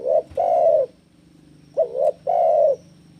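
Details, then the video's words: Spotted dove in breeding condition, challenging a rival: low mellow cooing in two-part phrases, a short coo then a longer sustained coo, given twice. "Suara Burung Tekukur Jeboll GACOR BIRAHI MENANTANG LAWAN"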